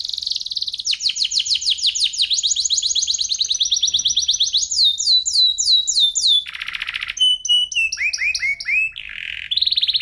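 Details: F1SF canary tutor song for shamas and young canaries, clear with crystal tone and unique cengkok. Ten seconds of varied rolling trills, rapid downslurred series, buzzy low bursts and sharp whistled notes follow one another without pause.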